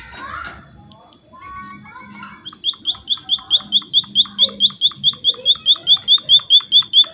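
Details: Munia calling steadily so that other munias will join in; after a soft, murmuring opening, crisp high notes begin and repeat evenly about two per second, loud and unbroken to the end.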